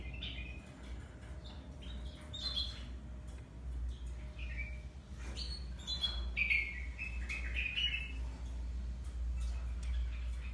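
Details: Grey singing finch crossed with yellow-fronted canary, a hybrid finch, giving scattered short twittering chirps and whistled notes in loose bursts, some slurred and rising, over a steady low hum.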